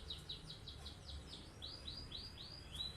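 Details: Canary in full, long rolling song, kept as a master bird so other birds copy it. Rapid series of high downward-sweeping notes, each repeated several times before switching, over a steady low rumble.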